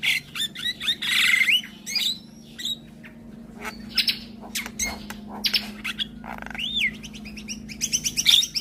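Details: Morning Javan myna song, which the neighbours' mynas are said to answer straight away: harsh raspy bursts, looping slurred whistles and sharp ticks, with quieter gaps and a steady low hum underneath.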